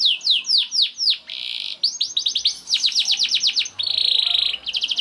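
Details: Young canary's lure song, played to help canaries start singing: swooping whistles, a buzzy roll, and a fast chirped trill, then a second buzzy burst and more swept notes.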